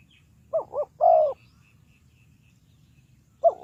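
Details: Spotted dove used as a decoy to lure birds into a trap: two short low coos followed by a longer, slightly falling coo, then another coo beginning at the end, over a faint low background hum.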